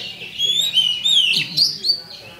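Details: Oriental magpie-robin lure song from a champion bird, meant to trigger fighting: sustained high warbling whistles and a brief squeaky flourish, a faint voice briefly audible underneath.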